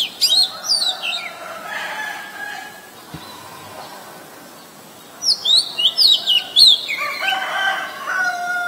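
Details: On 23 December 2019 in Ubon Ratchathani, Thailand, an Oriental magpie-robin, a very common resident, sings two bursts of bright whistled phrases with rapid up-and-down slurs, a lull between them. A rooster crows at the close. Recorded with a Nikon P1000.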